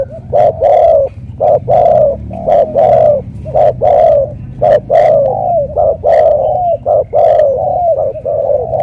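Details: Loud, deep 'thổ cọp' style cooing by a spotted dove from Cà Mau, Vietnam: low hollow coos repeated about once a second in a steady run, with sharp clicking sounds scattered between the notes.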